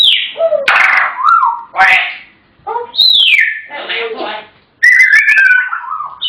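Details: Talkative pet African grey parrots: a rapid mix of sliding whistles and speech-like harmonic phrases, loud and continuous, with short gaps between bursts indoors.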